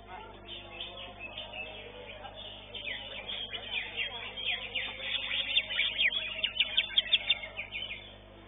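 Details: Greater green leafbird singing in a bird-song competition: fast, high chirps and sharp twittered notes that grow louder and busier toward the end, over a murmur of voices.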